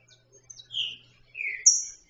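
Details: A loose, free female green-winged saltator gives thin, high slurred notes, two falling mid-high calls and a sharp higher note, soliciting mating; faint background hum.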